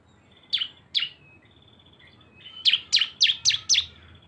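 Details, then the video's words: Lure combining two cisem birds: two spaced high chirps, a faint thin buzz, then five loud sharp notes in quick succession. "CISEM GACOR ‼️ SUARA BREN kombinasi 2 burung"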